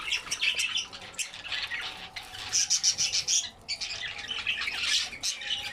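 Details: Group of albino red-eyed budgies eating vegetables, chattering in uneven bursts of high squeaky chirps and warbles, several birds overlapping, with brief gaps and a faint steady low hum.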